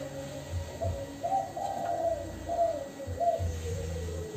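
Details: Spotted dove coo in the "kuk 2" style, used as a lure to draw answers from other doves: low, mellow coos, some rising then falling, set against steady background noise and low humming tones.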